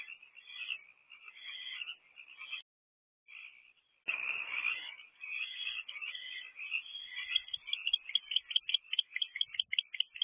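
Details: Owl pair bringing rodents to their nest box, 7:24 pm on 1 March 2024; rough hissing screeches, a brief silence, then renewed rasping that breaks into fast, rhythmic chittering pulses near the end.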